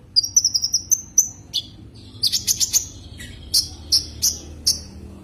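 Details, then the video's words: Calling to a rival, a common iora opens with a rapid run of six high ticking notes joined by a thin whistle, then gives scattered loud downslurred chirps spaced under a second apart over faint low hum. "Suara kicau Burung konin memanggil lawan"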